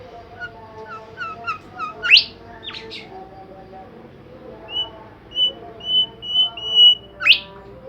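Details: Bimoli bird in full song: quick chips leading to sharp rising sweeps, then a steady train of level high whistles about two per second, ending in another upward sweep over a low tonal background hum.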